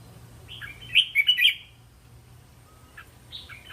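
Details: Red-whiskered bulbul song for training young birds to answer: one lively phrase of four or five quick warbled notes, then near silence with a weak fragment near the end, over low hum and hiss.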